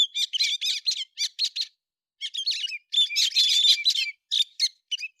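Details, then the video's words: Héc xoan bird in song, September 2020, pouring out fast high twittering chirps in uneven runs broken by brief gaps, some notes buzzy and scratchy, nothing else audible. "tiếng chim héc xoan tháng 9 2020"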